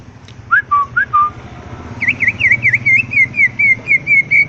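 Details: Greater green leafbird singing: a few slurred whistles, then a repeated series of bright, bouncy, up-and-down whistled notes about twice a second, over a steady low rumbling background noise.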